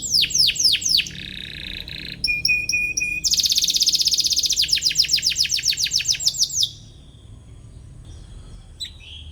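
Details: Atlantic canary in full song, chirping to find a rival, used to coach young canaries: descending chirps, a low buzzy note, metallic clicking pips, a dense rattling trill, then near silence with one faint chirp.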